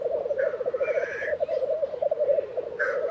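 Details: Black grouse displaying at the lek, Tiveden, Sweden, April 2023: a low pulsing bubble of cooing sounds, interrupted by two breathy, hissing sneezes.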